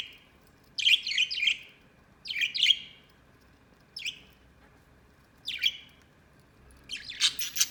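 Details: A white budgerigar kept as a pet gives short bursts of high, buzzy chirps, each cluster lasting under a second and separated by pauses of about a second, ending in a denser scratchy flurry.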